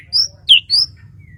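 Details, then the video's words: White-rumped shama from Kalimantan uttering three short, very high, thin whistled notes in quick succession. "TERNYATA SEPERTI INI SUARA❗ burung murai batu Kalimantan"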